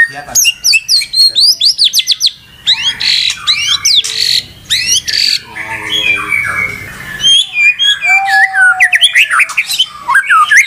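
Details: Caged white-rumped shama singing excitedly without stopping, a dense stream of varied whistles, sharp rising and falling notes, harsh chatter and rapid trills packed together with hardly a pause.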